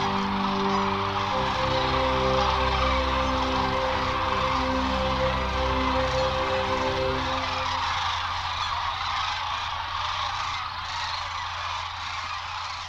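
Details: Sandhill Cranes gathered at their spring 2014 migration stopover on the Platte River near Grand Island, Nebraska: a dense chorus of rolling, rattling calls from many birds, under sustained musical tones that fade out after about eight seconds.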